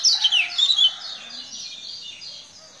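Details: Lombok lemon-bellied white-eye giving a brief burst of bright, high twittering notes in quick succession, then fading into a softer, thinner warble.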